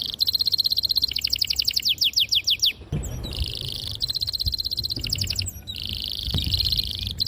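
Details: Clear canary rolling song to stimulate young and silent canaries: fast pulsed trills and repeated downslurred notes in bursts separated by brief pauses, with faint low thumps.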